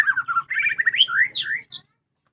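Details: Home-kept white-rumped shama singing vigorously: a rapid, varied run of clear whistled and warbled phrases, sliding up and down, with quick trills and a sharp high note at the end, then silence.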